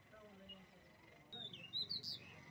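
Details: Small bird giving a quick burst of high, thin chirps and short sharp notes near the end, after a quiet stretch of faint background hum.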